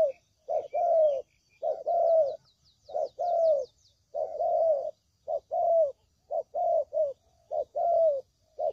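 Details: Lure recording of spotted dove for trapping: steady series of low, husky coos, short and long notes alternating in quick groups, with a burst of high chirping from small birds early on.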